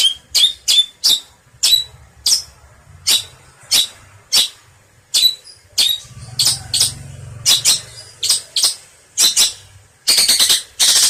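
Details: Long-tailed shrike: harsh, sharp scratchy notes repeated about twice a second, ending in a dense buzzy rattling burst, with a faint low hum underneath.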